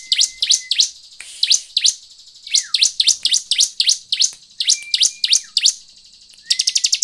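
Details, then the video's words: Bar-winged prinia played as a lure so other birds will sing: high falling chips in loose groups, a thin level whistle underneath, and a fast buzzy trill closing the sequence. "PANCINGAN CIBLEK AGAR BUNYI DAN CEPAT GACOR/ CIBLEK GACOR."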